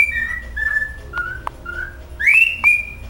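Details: Pet cockatiel practising its favourite song indoors: a run of clear whistled notes stepping down in pitch, brief clicks, then a sharp rising whistle leveling into a sustained tone.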